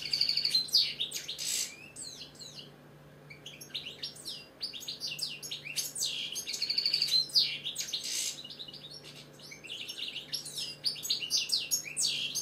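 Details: British goldfinch, kept caged, singing a long, lively jumble of rapid twitters, buzzy trills and tinkling notes, with one short pause early on; faint steady hum underneath.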